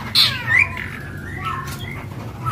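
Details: Captive, in-form singing East Javan long-tailed shrike (pentet) giving a scratchy burst of song: a harsh squawk, then quick high chirps and short whistled slurs, over a low background hum.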